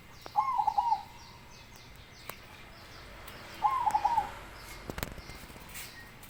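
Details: Big-voiced baron zebra dove giving two cooing phrases about three seconds apart, each an upswept note then a bubbling trill of short coos, with occasional clicks and knocks nearby.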